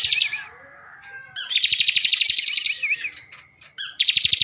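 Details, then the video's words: Bar-winged prinia kept in captivity in Slawi, Tegal, Central Java, giving a rich varied song: a wavering whistle, then a long, rapid, buzzy trill that rises and falls, and another sharp trill burst at the end. "ciblek gacor isian mewah"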